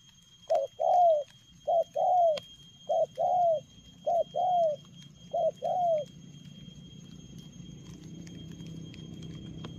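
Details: Spotted dove cooing in the fast 'lèo gù' style: five quick paired coos, each a short note followed by a longer, slightly falling coo, then quiet with a faint low rumble.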